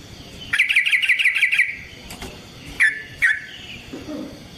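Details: Yellow-vented bulbul in long rolling fighting song used as a lure for other bulbuls: a fast rattling trill of about ten bright notes, then two sharp separate chirps and a faint low note.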